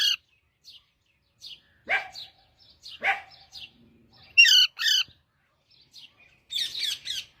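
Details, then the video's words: Parrot singing: scattered bursts of harsh, chirping, squawk-like notes with quiet gaps, some brief stacked chatter near the end. "parrot singing"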